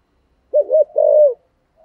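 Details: Cooing spotted dove, 'giọng thổ' voice, valued as a decoy. A single loud phrase: two quick wavering low notes, then a long sustained hollow coo fading away, with silence on either side.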